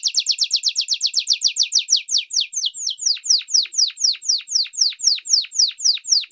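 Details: Long training song of a domestic canary for young and adult birds: a fast series of high downslurred notes that slows steadily into well-spaced, repeated descending whistles.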